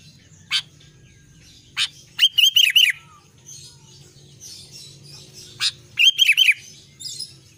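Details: Albino sooty-headed bulbul singing in lively form, single sharp clicks followed by short bursts of three or four quick falling whistles, repeated about every four seconds over a low background hum.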